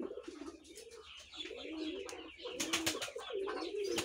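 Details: Five-month-old red collared doves give low, soft, throaty coos in short repeated phrases, with sharper chirps and twittering from other birds over the top.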